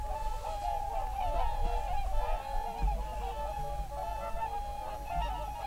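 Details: Early evening in a national park on 7 February 2023, whooper swans with geese: a loud, close chorus of bugling honks sustained throughout, over a deep low background rumble.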